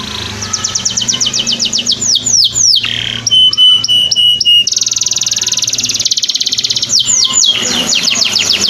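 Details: Canary song used to train other birds, mixing rapid repeated sweeping chirps, a few flat sustained piping notes and a long fast buzzy trill before the sweeping notes return; faint low hum in the background.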